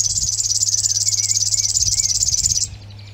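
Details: River warbler song recorded at Zvārde: a fast, rhythmic, sewing-machine-like buzzing that pulses evenly for over two seconds and then stops abruptly.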